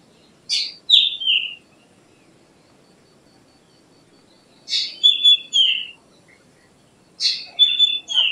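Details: Three separate phrases from a black drongo, each a rasping burst followed by clear, falling whistles, with long silent gaps between phrases.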